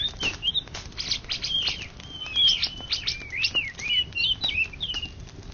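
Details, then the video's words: Indonesian champion greater green leafbird, 2013–2014, performing a fast string of sharp ticks followed by fluid whistled slides and quick chirping notes, rising and falling in pitch. "Cucak Ijo Juara satu se Indonesia Raya 2013 2014"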